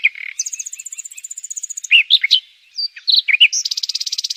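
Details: A tiny Indonesian songbird called Flamboyan, recorded 2 July 2021, sings a loud, varied, fast song: sharp chips and slurred notes mixed with long, high, rapid trills and a final buzzy rattle, all high-pitched.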